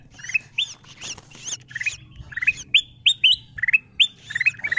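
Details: Ruby-throated bulbul lure sounds for attracting wild birds: softer, muffled chirps at first, then clear, rising whistled notes in quick pairs, over a low background murmur.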